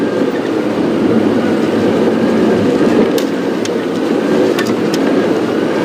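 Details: Loud, steady engine rumble from a vehicle on a morning safari drive, with a few sharp clicks and knocks near the end and no animal voices heard.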